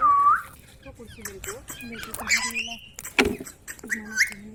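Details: Ringneck parrot giving a short dipping whistle, then a run of chattering, speech-like notes and scratchy squawks, with one loud harsh burst near the end.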